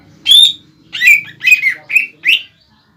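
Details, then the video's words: Greater green leafbird (cucak ijo bahan) singing gacor to goad a rival bird into replying: five strong whistled phrases, each slurring downward or upward, spaced about half a second apart over a faint low hum. "CUCAK IJO BAHAN GACOR MEMANCING EMOSI CUCAK IJO LAWAN AGAR BUNYI DAN NYAUT"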